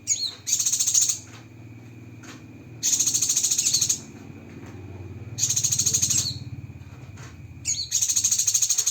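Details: Spicy rapid-fire fill from a Cucak kinoi: four bursts of dense, fast, high pulsed trilling, each under a second or so long, separated by gaps filled with a low background hum.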